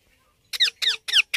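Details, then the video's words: Young Indian ringneck parakeet giving four loud, harsh squawks, each with a falling, scratchy tone, about a quarter second apart after brief silence. "Cute Baby Parrot Natural Sounds"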